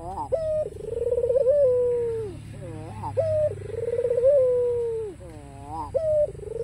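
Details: White, black-collared ringneck dove calling steadily to draw rivals into calling: a short hoot followed by a long, throaty, trembling coo that fades downward, repeated twice with quick rising flutters between, over faint low background hum.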